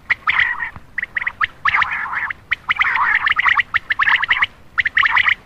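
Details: Common quail calling at night, a call used to attract males. Clusters of short, hoarse, rapidly repeated notes come in bursts separated by brief pauses, with no other clear sounds.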